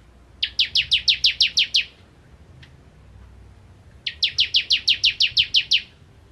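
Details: Bar-winged prinia, vigorous 'nembak ngentrok' singing: two rapid trills of about nine and ten sharp, high, downslurred notes, separated by a two-second pause with a single faint click, over soft background hum.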